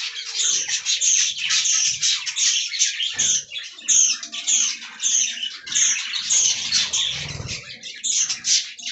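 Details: Budgerigars feeding on fresh green leaves give a stream of bright, squeaky chirps and warbles in uneven bursts roughly every half second, backed by steady flock twittering and occasional low rustles.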